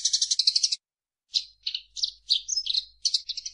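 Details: Eurasian tree sparrow (Passer montanus) song used as a training recording: a lively run of high, buzzy chirps, quick rattled bursts with a brief pause, then varied twittering notes; no other sounds.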